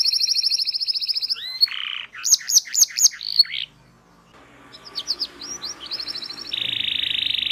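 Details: Long-singing canary, a recording meant to teach young canaries and get silent ones singing: a fast trill, a buzzy note, quick upswept whistles, a brief gap, then chirps and a steady rolling trill.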